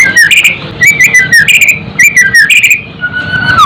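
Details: White-rumped shama song meant as tutoring material to excite cage birds: rich whistled phrases that rise and fall, repeated about every half second, mixed with sharp ticks and a steady background hum.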